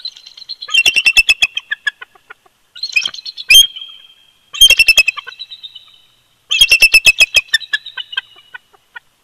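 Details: Bald eagle pair at their Big Bear Lake, California nest in winter, calling loudly together: four bursts of rapid, overlapping, high chattering notes, each fading into a thin whistle, with crackling thumps.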